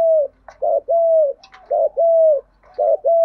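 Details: Close, loud cooing from a caged spotted dove used as a decoy for wild doves. Long smooth level coos alternate with short throbbing rolled notes in a steady rhythm, with light tapping sounds between.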